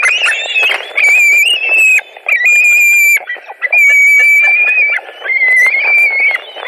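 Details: Screaming white-tailed eagles at a Latvian nest, 2 August 2020, during a carp delivery and fights over the fish; long, thin, whistled wails held level for about a second each, several in a row with brief gaps and some rustling.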